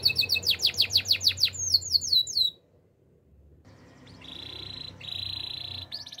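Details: Canary song for training: rapid whistled notes and descending sweeps, a short pause, then a long steady high trill broken once before more notes.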